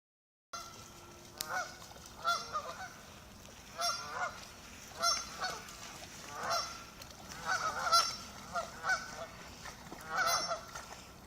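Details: Ducks on a lake, swimming farther from the shore as someone arrives, give warning calls: harsh, honking, harmonic calls in irregular bursts, about ten over eleven seconds, some doubled, over a steady background hiss.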